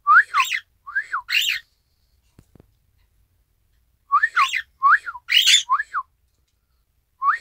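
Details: Isabelle pearl cockatiel kept at home imitating its owner's "ppoiyo" whistle, 1 December 2018; bursts of clean down-slurred whistles mixed with harsher arched squeaky notes, separated by a few seconds of silence.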